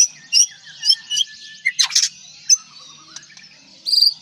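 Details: White-rumped shama from Aceh giving scattered high whistled and chirping notes with a brief buzzy burst in the middle, over a faint constant high hiss.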